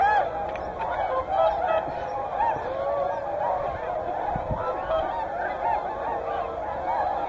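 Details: Honking whooper swans, sharing Hyoko in Niigata with tundra swans, produce a thick, unbroken chorus of nasal trumpeting calls from many birds at once.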